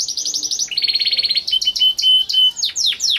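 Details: Domestic canary in full song, delivering an unbroken chain of rapid, high trills that shift from one repeated syllable type to the next, ending in quick downward-sweeping chirps.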